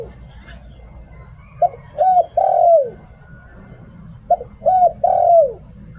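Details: Spotted dove used as a decoy bird, Thailand, singing 'Liu Tan' style song: two phrases roughly three seconds apart, each a clipped coo, a domed hoot and a drawn-out descending coo, with steady low background hum.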